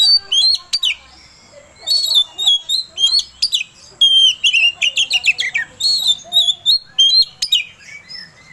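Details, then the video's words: Oriental magpie-robin (kacer) song used as a lure to rouse another magpie-robin into singing: bursts of loud, sharp whistles and buzzy, rapidly sliding notes, with short chattering runs separated by brief pauses. "Suara Pancingan Kacer Agar Cepat Emosi Gacor"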